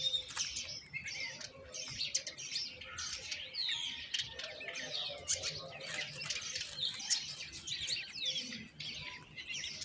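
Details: Common myna chicks calling for food as the mother delivers moringa: harsh, buzzy chirping and squeals in rapid irregular bursts, a faint low murmur beneath.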